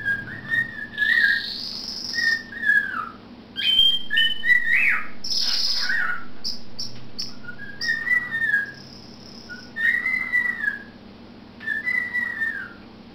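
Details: A pet cockatiel whistles drawn-out, spooky wailing phrases that slide up and fall away, in a duet with a pet canary chirping alongside, their whistling intensity rising and falling together.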